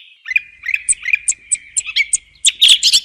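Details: Quieter song thrush song: thin sliding notes repeated in a steady pattern with high ticks, ending in a louder, denser burst of squeaky phrases, with a soft low hum in the background.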